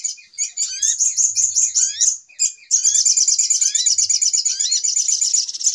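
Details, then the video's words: Brown-throated sunbird, agitated lure call used to trap birds: a string of rising whistled slurs with twitter, a short break, then a long continuous rapid high chattering trill. "Suara Pikat Ribut Burung Sogok Ontong Paling Mujarab"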